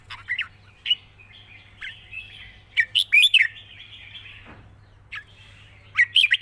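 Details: Red-whiskered bulbul giving light, long-phrased wild-style song: spaced whistled notes, a bright warbled burst around the middle, a low descending sweep, then more quick notes at the close.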